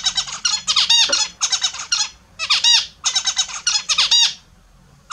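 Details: Morning bath time for kept Australian zebra finches: clustered, trumpet-like nasal beeps in quick bouts of four to six notes, with brief gaps between bouts.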